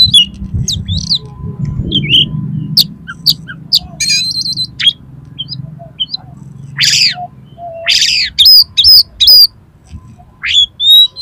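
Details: Oriental magpie-robin in fighting mode, highly aroused, song meant to provoke other males into spreading their tails: sharp high whistles, rising sweeps and harsh buzzy bursts, with loud gaps and low rumbling noise beneath.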